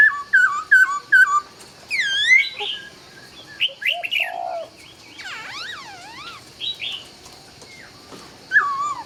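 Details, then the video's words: Vietnamese laughingthrush song at dawn: quick runs of bright descending whistles, then looping, wavering whistled phrases and a lower mellow note, delivered in lively, irregular bursts. "Nghe Tiếng Chim Khướu Hót Cực Hay"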